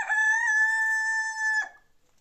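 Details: Domestic hens kept at home: a single sustained, steady, rich call lasting about a second and a half, held level in pitch and then cut off, followed by quiet.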